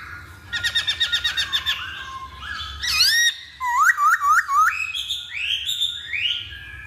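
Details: Masked laughingthrush pancingan song: a rapid chattering burst of about ten notes, a sharp rising call, then a series of looping upslurred whistles and higher trailing phrases.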